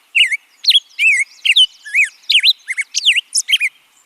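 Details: A Black-headed Grosbeak sings a rich, robin-like run of sweet whistled phrases, each quickly rising or falling, tumbling along at a lively, uneven pace with no other sounds.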